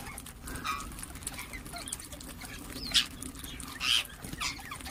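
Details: Ring-necked parakeet calls: two piercing, high squeals close together near the end, following quieter chirping, over a low background hum.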